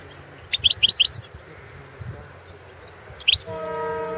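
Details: European goldfinch, Carduelis carduelis balcanica, recorded as a 2016 competition entry in the internet World Championship in Goldfinch Song held under Serbian breeders' association rules. Quick bursts of high, sharp twittering chirps, a pause, another short burst, then a steady humming harmonic drone.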